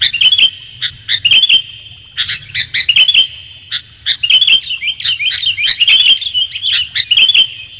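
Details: Sooty-headed bulbul lure call for attracting birds, clear and crisp: bursts of bright, bubbly chirps and short warbled phrases, separated by brief pauses, over a steady high thin tone and a faint low hum.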